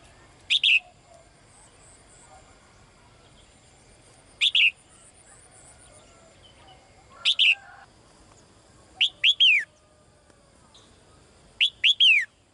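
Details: Caged female bird calling the male: short, high, sharply descending chirps given singly or in quick pairs and triplets every two to three seconds, with a faint low hum behind.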